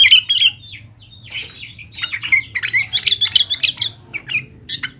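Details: Sooty-headed bulbul lure for young birds: busy, chattering stream of bright whistled and warbled notes, loud at the start, pausing, then building into rapid overlapping phrases.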